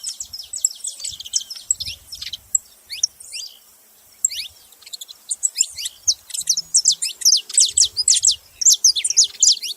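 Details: Saffron finch calling in busy bursts of high, downslurred chirps, a brief quiet gap midway, then a faster, louder stream of notes; faint low hum behind.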